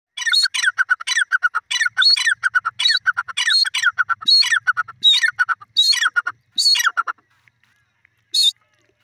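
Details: Teetar (grey francolin) giving a loud, ringing call series of harsh, stacked notes, repeated rapidly for about seven seconds, then a single isolated note after a short pause.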